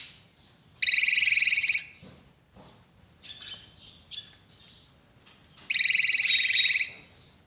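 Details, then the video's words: Drongo song with two long, loud, grating buzzes about five seconds apart. Quiet chattering and scratchy twittering notes fill the gap between them. "BURUNG SRIGUNTING GACOR"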